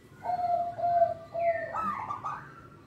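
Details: Local zebra dove singing to lure young birds. Three clear, level coos are followed by a rising, buzzy, quavering trill.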